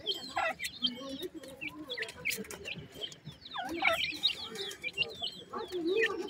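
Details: Grey francolin chicks while feeding give thin, high downslurred peeps in scattered bursts, some overlapping, mixed with softer lower clucking notes and occasional clicks.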